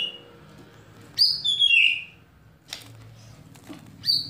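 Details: White-rumped shama kretekan and tembakan meant to provoke singing: a few loud whistled notes sliding downward, a sharp click, and one high whistle, with quiet gaps between.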